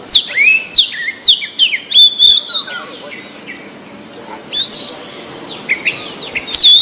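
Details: Free-living white-breasted magpie-robin in song, meant to prompt other birds to sing. Quick sequence of clear high swooping whistles and sharp chips, a lull, then a fresh burst of ringing notes.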